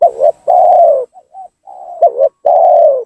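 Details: Spotted dove producing a lure call to provoke rival doves; dense run of loud sustained coos, with a stuttered double coo and brief soft notes between the long, evenly pitched coos.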